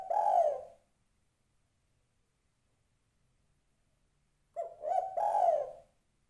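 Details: Spotted dove female calling a male, heard as a soft throaty coo, a long pause of nearly four seconds, then a stuttering two-part coo with a short lead-in note followed by a longer, fuller one.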